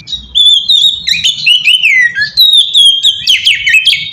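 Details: Oriental magpie-robin song for luring other magpie-robins: clear sustained whistles sliding up and down, mixed with quick chips and rattles, steady and loud over a faint low hum.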